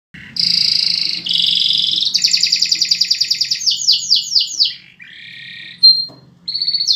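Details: Canary in its mating period sings a varied phrase: sustained buzzy trills, then a fast series of rapidly repeated descending notes, a lower rattling trill, and a final bright high trill, with faint low hum beneath.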